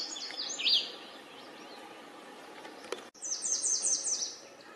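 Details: Wild yellow warbler: high slurred notes at the start, then after a pause a quick bright phrase of repeated descending sweet notes, over constant hissing background noise.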